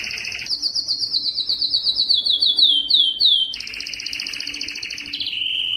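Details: Singing yellow canary delivers a rapid trill, then a series of sweeping downslurred notes repeated about three times a second, followed by lower buzzy rolls and a steady whistle.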